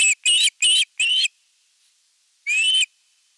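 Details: Osprey at its nest on a live nest camera during evening feeding on 30 June 2022: four short, high whistled calls in quick succession, each slightly rising, then a pause and one longer rising whistled call.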